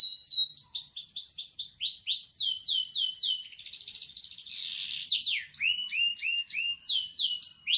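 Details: A kenari canary delivers rapid runs of high, downward-slurred whistles repeated in series. Halfway through comes a harsh buzzy rattle, then another run of quick falling notes, all crisp and close.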